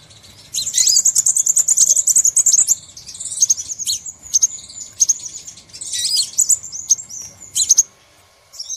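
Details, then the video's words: Lure call of the Crimson sunbird for trapping: a fast, very high rattling trill lasting about two seconds, followed by squeaky twittering bursts and thin sharp chips. "Suara Pikat Burung sepah Raja"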